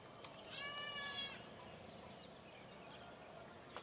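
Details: One harsh, nasal, strongly harmonic call lasting nearly a second rises from a Brahminy starling flock, followed by faint distant chirps and background hiss.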